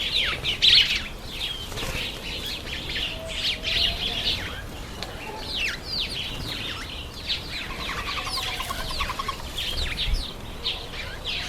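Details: Masked weavers during the September–October breeding season: dense, overlapping chatter of high, quick descending chirps and buzzy notes from many birds, with a short rapid ticking run near the end.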